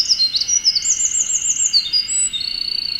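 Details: Eurasian wren singing happily from the top of a dead tree in Oku-Chichibu, Japan, recorded with a Nikon Z50II: a rapid high sequence of varied notes with a fast rattling trill midway, then sliding phrases, over a steady high background hum.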